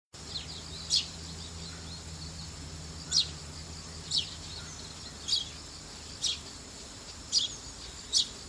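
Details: Young Eurasian tree sparrow, recorded 3 October 2015 while coming down to drink tap water, gives short, sharp chirps about once a second over a steady high insect-like hiss and a low hum.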